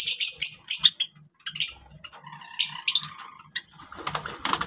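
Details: Java sparrows at play with grass utter quick high chirps and short whistled notes, followed by a stretch of crackling rustle.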